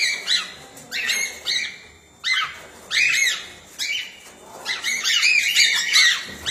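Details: Flock of aviary cockatiels bred as a group, calling in bursts of squeaky, rising whistles and harsh chirps that overlap and swell, some louder close calls standing out, with background rustling and wing noise.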